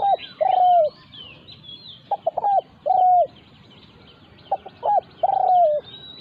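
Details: Spotted doves in a decoying session, where a caged decoy is challenged by a wild resident bird: two or three short clipped notes, then a long, slightly falling coo, repeated three times. Thin high chirps from other birds are heard above.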